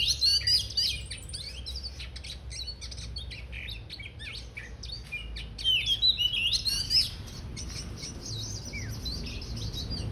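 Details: Oriental magpie-robin about to fan its tail, singing in rich bursts of clear whistled, slurred and warbled notes, loudest at the start and again around the sixth second, over a steady low hum.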